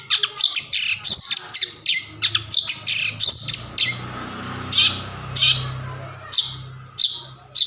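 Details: Long-tailed shrike (cendet) lure song for silent shrikes: rapid harsh scratchy notes at first, slowing to spaced rasping bursts, with a low hum in the background.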